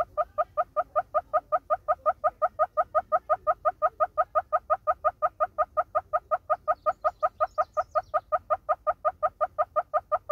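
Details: Southern red-billed hornbill in South Africa giving a rapid, evenly spaced run of hollow clucking notes, roughly four per second, steady in pitch and loudness for ten seconds, with a faint chirp from another bird near the end.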